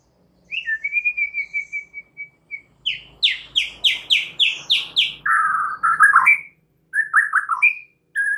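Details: White-rumped shama song used as a lure to draw out a caged bird's full repertoire: a long level whistle, then a fast run of repeated rising slurred notes, followed by lower warbled phrases and sharp high chips.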